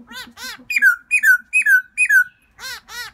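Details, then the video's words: Black-throated laughingthrush in spring calling out for a new mate, giving loud, harsh, nasal squawks that slur downward, four in quick succession at roughly half-second intervals, framed by a few buzzy, reedy notes at start and end. "Black throated laughing thrush welcoming Springtime"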